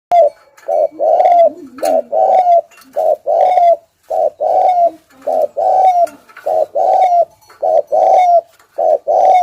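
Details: Spotted dove used as a lure bird, cooing in the thúc gù style: low, mellow paired coos, a short note then a longer one ending in a bright slurred tone, repeated steadily about once a second.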